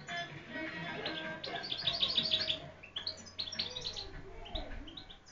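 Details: Singing European goldfinch, said to have a very beautiful voice: lively runs of quick, high chirps and trills that come in bursts, with some faint background noise.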